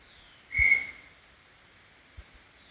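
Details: Single clear whistled note from a brown tinamou in Serra do Brigadeiro State Park, steady in pitch, about half a second long and tapering off, followed by a soft low thump and a faint background hiss.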